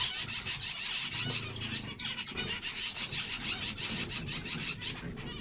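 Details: Rapid rasping nasal notes from zebra finches, repeated about three times a second in a steady, pulsing chatter.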